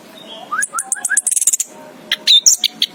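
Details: Orange-headed thrush, known locally as anis kembang, chirping: rising slurred whistles near the start, then rapid high buzzy trills and sharp squeaky notes, varied and loud against a faint steady hum.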